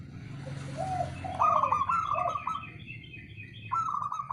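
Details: Male local zebra dove call: a few low soft coos leading into a loud, rapidly pulsed, slightly descending trill, then another trilled phrase after a short pause.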